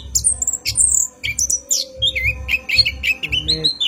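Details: Orange-headed thrush singing at night in a long rolling song used as a lure for training cage birds: rapid high whistled and chattering phrases, with a steady low hum and soft rhythmic low thumps beneath.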